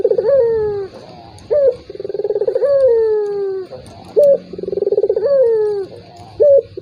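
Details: Repeated turtle dove coo phrases, played to goad a silent rival into calling. Each phrase has a short high note, a rapid bubbling roll, and a long descending coo, about every two seconds.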